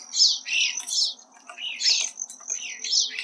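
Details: A male Hairy Woodpecker visiting a suet feeder in the Colorado Rockies, Chaffee County, recorded close up: loud, sharp, downward-slurred notes, roughly five in three seconds, with a constant faint high tone behind.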